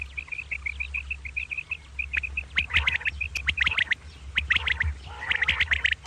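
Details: Common quail (Coturnix coturnix) calling in the morning, a quick run of short, high clipped notes, then harsher raspy, churring bursts over a steady low hum.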